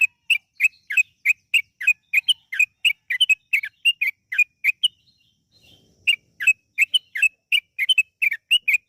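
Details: Long 'ropel panjang' lure song of a yellow-vented bulbul: a steady stream of sharp chirpy whistles, roughly three a second for five seconds, a brief break, then the run continues.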